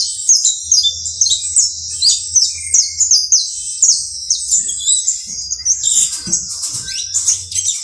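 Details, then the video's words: Saffron finch (canario basto criollo) song: bright, high chirps repeated about twice a second, each sliding downward, then turning into busier, jumbled twittering near the end over a soft low hum. "UN CANTO INCREIBLE DE CANARIO BASTO CRIOLLO"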